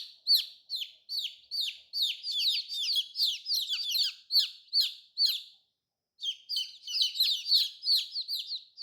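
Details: Many young colorful chicks cheeping, piercing downslurred notes crowded together, fading briefly to silence midway and then starting up again just as busily.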